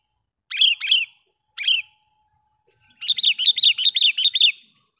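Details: Sooty-headed bulbul calling to lure wild birds of its kind: two sharp chirps, a single repeat after a pause, then a steady run of about eight rapid, buzzy chattering notes.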